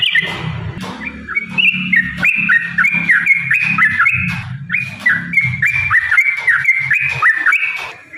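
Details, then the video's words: A yellow-vented bulbul delivers a long fighting song used to stir other birds into singing, with quick looping whistled phrases, each note flicking down then up, repeated about three times a second over a low background rumble. "trucukan gacor TARUNG ROPEL PANJANG pancingan trucukan agar bunyi"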